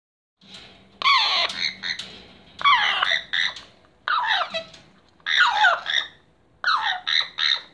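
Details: Captive blue-and-yellow macaw, waiting in line for food, giving harsh, raspy squawks in bursts of two or three, roughly every second or so, with a faint low hum underneath.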